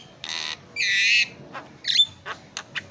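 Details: Javan myna (jalak kebo) singing in a training recording: a few separate bursts, a harsh rasping note then a longer buzzy squawk, followed by short clipped whistles and sharp chips.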